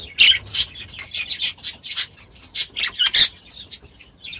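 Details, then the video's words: Pet budgerigars in their aviary give loud, sharp chirps and squawky tweets in rapid, uneven succession, roughly two or three notes each second, with softer twitters filling the gaps. "6 Hours of Budgies in their Aviary"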